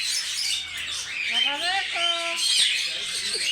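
A cockatoo gives harsh, raspy screeches with a brief run of tonal, rising, voice-like notes in the middle.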